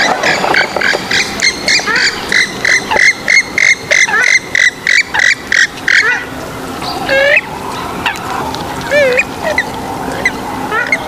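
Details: Swamphen uttering a steady train of short, harsh nasal notes for six seconds, then scattered upward-sweeping squeals and softer calls over a busy background of birds.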